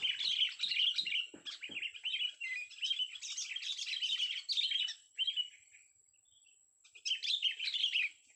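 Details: A young sooty-headed bulbul sings in a vocal test, giving long runs of lively, warbled chirps and twitters almost without pause, then a short silence before another bright phrase.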